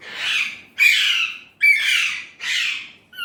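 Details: Indian ringneck parrot speaking Urdu/Hindi words, four hoarse, drawn-out syllables of almost equal length, each starting sharply and fading, given in a steady run.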